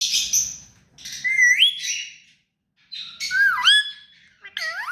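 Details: Hand-tame pet rose-ringed parakeet giving harsh squawks, then sharp whistled notes that sweep up and down, in bursts separated by short silences, with a faint low rumble underneath.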